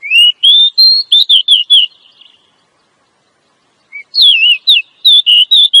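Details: Female Oriental magpie-robin calling to encourage a male to sing and raise his drive. A long rapid series of slurred whistles, a gap of under two seconds, then another lively series with a sharp dip.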